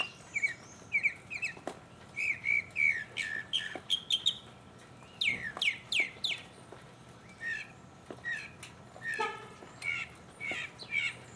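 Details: Mockingbird singing solo, recorded in 2015: a long varied run of whistled and buzzy phrases between mid and high pitch, each short motif given a few times before it switches to a new one.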